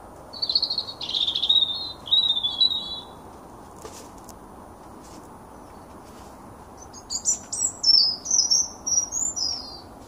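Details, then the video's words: A young male blackbird sings two bursts of high, warbling, twittery phrases a few seconds apart, each rising and falling in quick slurred notes, over a steady background hiss. "Blackbird Song"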